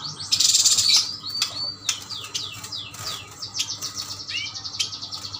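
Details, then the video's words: Yuhina from Kalimantan in a cage, singing: an opening harsh buzz, then many quick downslurred whistled notes and chirps, ending with a pair of rising hooked whistles. "Burung yuhina gacor Burung yuhina kalimantan"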